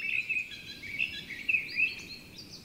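A Eurasian Blue Tit gives thin, high chirping calls, about five short notes in under three seconds, over a soft background hiss.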